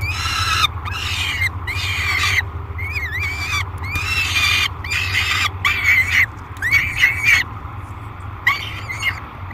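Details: At the Great Spirit Bluff falcon nest box in July 2021, a peregrine falcon screams during feeding: a run of harsh, grating screeches, some rising then falling, coming in quick irregular bursts over a low electrical hum.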